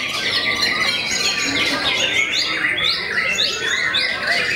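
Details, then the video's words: White-rumped shama, a fighting contest bird known for intimidating opponents, pours out harsh scratchy chatter followed by a series of sharp upward-sweeping whistled notes, evenly loud. "MURAI YANG TERKENAL BIKIN NGLOWO BANYAK MUSUHNYA"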